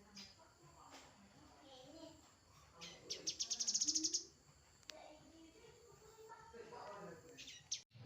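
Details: A grey-headed canary-flycatcher delivers one sharp, high trill of rapidly repeated notes rising in loudness, preceded and followed by soft, faint chirping and light background noise.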